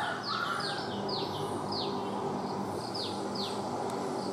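Sooty-headed Bulbul giving short, high, downslurred notes in an irregular series, about two each second, over a steady hiss of background noise.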